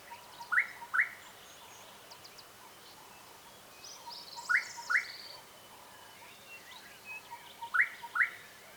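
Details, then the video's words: Gorgeous bushshrike in Southern Africa calling in phrases of a soft low note and two quick upward-sweeping whistles, repeated roughly every three and a half seconds over a steady background hiss and distant chirps. "Gorgeous Bush-Shrike"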